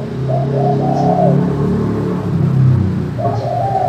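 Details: Spotted dove in the crystal manggung style, used to prompt quiet doves to call: a short series of soft rolling coos, then a pause and another coo at the end, partly masked by a strong low droning hum.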